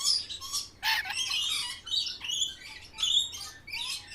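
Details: Green parrot calling at lunch time with scattered harsh squawks, short chirps and rough noisy bursts, some sounding like fluttering, spaced unevenly.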